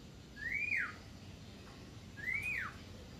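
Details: Javan myna chattering continuously: two loud whistles, each rising smoothly then falling sharply, about two seconds apart, over a quiet background.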